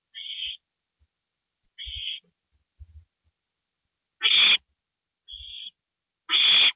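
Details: An owl family at 2:05 AM on April 27, 2012, as a gopher arrives. Thin hisses alternate with two loud, harsh, full screeches. Scattered scratching and bumping noises come between the calls.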